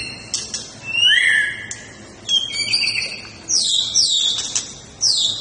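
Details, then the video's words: White-rumped shama singing its fighting style, with a rising then falling whistled slur followed by clusters of sharp, high descending notes repeated in quick succession. "Gaya tarung MURAI BATU SUPER"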